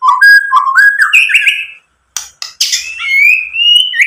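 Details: A white-rumped shama sings rich, varied whistles, rising phrases and harsh buzzy notes, a lure recording meant to provoke other shamas to sing back.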